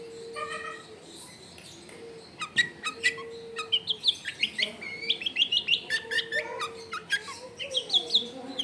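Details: Long-tailed shrike, recorded at a house in a densely populated area, pouring out a chattering 'full isian' song of quick high twitters and rising whistled notes that grow busier after a quiet start, over a steady low humming tone.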